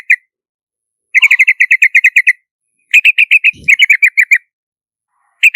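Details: Yellow-vented bulbul in a clean lure recording: two bursts of about ten quick, bright chattering notes each, separated by a pause, with a single soft low thump between notes and a short final note.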